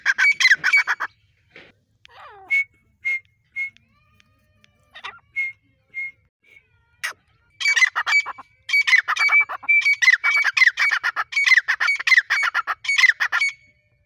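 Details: Female grey francolin calling: harsh chattering bursts mixed with short, clear whistled notes spaced about a second apart, building into long stretches of rapid, squawking chatter.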